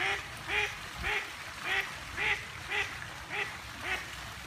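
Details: A single female duck quacking insistently, about eight harsh, evenly spaced quacks in four and a half seconds, one roughly every half second, over a faint steady hiss.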